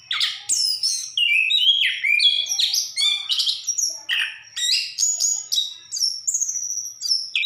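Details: Orange-headed thrush pouring out a rapid, varied song of sweeping whistles, trills and chirpy notes at about three phrases a second, with barely a pause.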